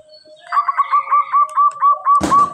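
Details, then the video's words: Local zebra dove (perkutut) in strong, very clear song, used as a lure call: a run of soft, clear, mid-pitched cooing notes, about four per second, ending in a single dull thump. "Perkutut lokal gacor sangat jernih sekali"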